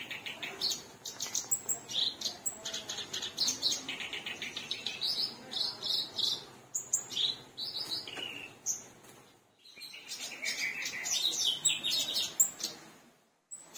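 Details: Black-browed reed warbler in full, active song, suited for tutoring other birds: long run of harsh, high chattering notes and repeated scratchy chirps, broken by a short gap then resuming with sharper whistled notes.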